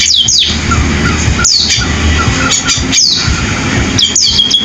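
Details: Canary-style singing from a sparrow, known locally as pipit: sharp descending whistled sweeps come in spaced bursts about every one and a half seconds, with softer notes between and steady low background noise.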